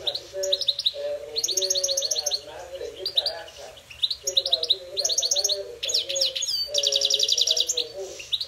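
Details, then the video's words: Goldfinch song in a singing fight: dense, energetic phrases of rapidly repeated tinkling notes and jangling trills, broken by brief pauses, with one long fast trill near the end, over a faint low hum. "gold finch singing fight"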